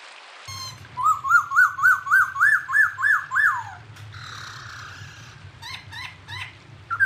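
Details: Unidentified bird on a clear songbird training recording: about nine loud arched whistled notes in rapid succession, followed by a rough noisy burst and a few short scattered notes, low hum throughout.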